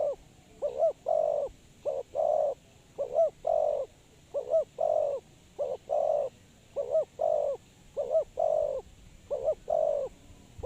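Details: Decoy spotted dove for trapping, cooing persistently: a looped, wavering lead note followed by a longer hollow coo, repeated evenly about every second with a faint steady hiss behind.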